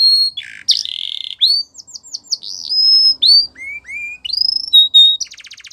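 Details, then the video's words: Belgian canary training song for young canaries: a fast, varied run of high whistled notes, buzzy trills, rising slurs and sharp chips, ending in a rapid rattle. "Canary Training Song | Belgian Canary"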